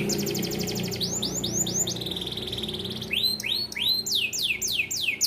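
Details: Small standard AF canary song for tutoring young canaries. A rapid rattling trill is followed by a run of curved upslurred notes and a steady high tone, then loud descending swept whistles, over a soft low hum.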